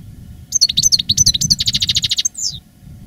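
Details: A veteran caged 'master' European goldfinch, singing strongly after its moult in 2017, gives a quick, high, tinkling twitter that runs into a rapid trill and ends on a short falling note, over a faint low rumble.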